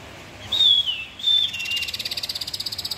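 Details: White-rumped shama (murai batu) singing two loud, pure high whistles, the first sliding downward, followed by a fast, even buzzy trill of rapidly repeated notes.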